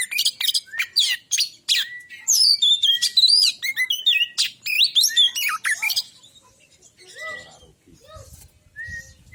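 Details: Male Oriental magpie-robin, white-breasted, singing used to coax another bird into song: a rapid stream of bright chirps, slurred whistles and buzzy trills for six seconds, then softer scattered whistled notes.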